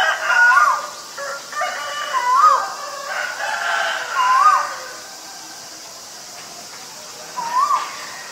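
A male Asian koel gives four clear, mellow, rising-and-falling whistles, spaced about two seconds apart, over a busy background of other birds and farmyard sounds.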